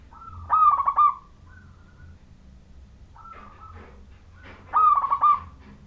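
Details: Zebra dove of the local wild Majapahit kind, singing to prompt other zebra doves to join in: two strong throbbing coo phrases with softer scattered cooing notes between them.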